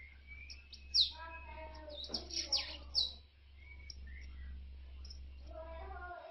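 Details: Captive mutant-coloured Bananaquit gives thin, very high sweeping notes in short buzzy bursts about every second, with lower chirps from other birds and a steady low hum.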